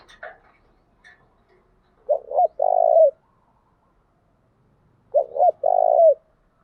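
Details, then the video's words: Spotted dove decoy cooing for luring males: two phrases three seconds apart, each a stuttered double note then a long rough coo curling downward; a few faint chirps and clicks at the start. "Tiếng chim cu gáy mồi giọng lôi cuốn hấp dẫn đủ bài[ THÚC GÙ , GÁY GỌI ] dùng kich bổi nhanh nổi"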